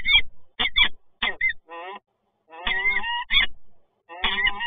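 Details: Resident peregrine falcons meeting at the PGE site in Toruń, Poland, on 26 August 2022: harsh, strained wailing calls with strong overtones, given in short bursts separated by brief pauses.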